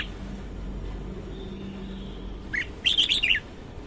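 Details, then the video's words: Morning song of a red-whiskered bulbul: one rapid, lilting burst of clear chirped notes, up-and-down and slurred, over a low steady hum. "Chào mào hót sáng"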